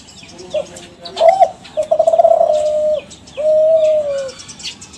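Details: Young Kelantan spotted dove from a champion line, kept captive and used to set other doves calling. A few short notes, then a stuttering rise into two long, level, mellow coos, with background chirping.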